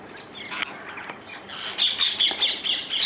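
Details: In the Netherlands, wild rose-ringed parakeets start faint, then break into a rapid run of loud, piercing screeches, about two or three per second.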